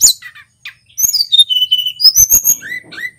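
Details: Local male Hill Blue Flycatcher singing vigorously, a master recording used to lure and train other songbirds: clear whistled notes slurring downward, a steady tone near mid-pitch, then sharp high chips and a rising final whistle.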